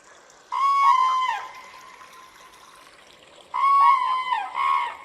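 A crane gives two loud, rolling, trumpeting calls about three seconds apart, each rich and brassy with a rattling wobble, over a faint steady hiss.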